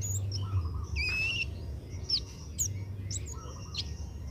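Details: Young Oriental magpie-robin being trained to sing: a held two-toned whistle followed by several sharp high slurred notes at uneven intervals, steady low hum underneath.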